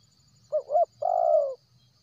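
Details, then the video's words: Spotted dove, a wild bird, giving a lure call meant to attract others: a brief hiccuping two-part coo, then one long, smooth, slightly descending coo. Quiet background with faint high buzzing. "SUAR PANCINGAN TERKUKUR LIAR cocok untuk mancing p!kat mal4s buny1"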